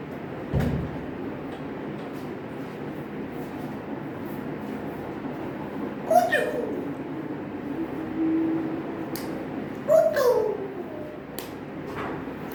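An African grey parrot chatters in a few voice-like, rising and falling bursts over steady background hum.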